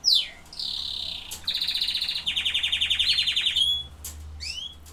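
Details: Canary song: a sharp opening note, then sustained buzzy trills that shift between pitches, a rapid pulsed rattle rising at the end, and a few closing upslurred chirps.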